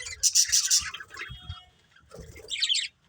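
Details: Budgerigars with a short burst of sharp scratchy chirps, a pause, then another brief squeaky chatter, light tapping sounds underneath.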